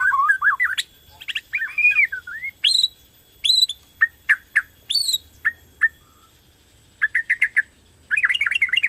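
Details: White-rumped shama of Borneo type, a caged bird in strong singing form, its song used to stimulate other shamas to sing: varied whistled phrases, rising and falling slurs, then sharp repeated high notes and a rapid chattering run.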